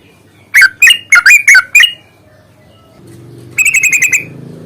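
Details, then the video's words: Yellow-vented bulbul in fighting mode, used as a singing lure: five loud, separate slurred notes dropping in pitch, then after a quiet gap a quick burst of rapid repeated chattering notes. "trucukan gacor tarung ROPEL PANJANG pancingan trucukan agar bunyi"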